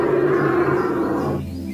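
An Australian bustard gives a deep, heavy, droning roar held steady for over a second, then fades.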